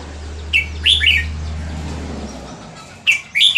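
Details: Red-whiskered bulbul of Burmese stock from Dan Singkhon, Thailand: two short, bright warbled phrases, rising and falling chirps heard about two and a half seconds apart. A low steady hum fills the first half.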